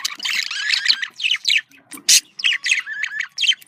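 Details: Budgerigar chatter used to get pet budgies to breed: buzzy, scratchy warbling with gliding whistled notes and one loud harsh burst midway.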